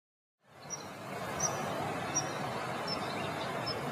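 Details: Common Kingfisher of Europe, Asia and Africa, with a delicate, sing-song voice: five thin, high, short whistles repeated about every 0.7 seconds over a steady broadband rushing background.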